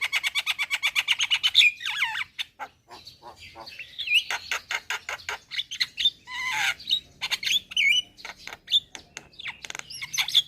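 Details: Javan myna in lively, full song: a rapid run of sharp, evenly spaced clicking notes, then a varied stream of slurred whistles, harsh chatters and squeaky phrases.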